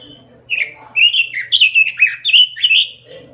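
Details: A small caged robin gives a short, vigorous burst of sweet whistled and warbled notes, rising and falling rapidly for about two seconds before fading into low room noise.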